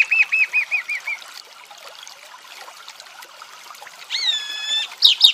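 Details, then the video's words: Chalk-browed mockingbird song from Brazil: a run of repeated looping whistled notes, a quiet gap, then a harsh buzzy phrase and a sharp burst. "Sabiá do Campo"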